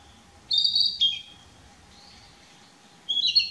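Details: On 6 May 2016 a Narcissus flycatcher sings from a dead branch, one of several song posts it visits, captured on a Nikon P900; two bright whistled phrases of high, slightly slurred notes separated by a long quiet gap, with a faint low hum.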